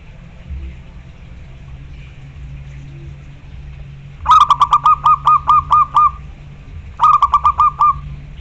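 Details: Local zebra dove, loud and persistent, singing to call a rival: a low pulsed cooing phrase of about eight rapid notes, then after a pause a shorter phrase of five notes, over a steady low hum.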